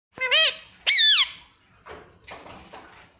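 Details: Pet parrot said to be talking, repeating "mummy"; two loud, harmonic, speech-like syllables rising then falling, followed by softer, noisier murmurs.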